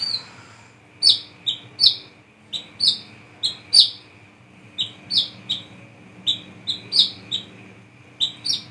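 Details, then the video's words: A Brown-throated sunbird, singing at night, gives sharp, high chirps in quick clusters of two or three, about every second, over a faint steady high hum; recording used as a lure call. "SUARA BURUNG WICEH KOLIBRI KELAPA GACOR NGRIWIK NGEPLONG"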